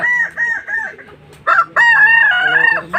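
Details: Kukuak Balenggek rooster, a Minangkabau breed, crowing while sitting at a latberan crowing contest in Tergal, Alahan Panjang: a quick run of short, clear, rising-falling notes, a brief pause, then one long sustained crow with a wavering, dropping end.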